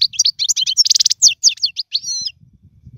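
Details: European goldfinch song for tutoring young birds: quick high twitters leading into a dense rattling trill, then a few clipped notes and a thin whistled phrase before silence.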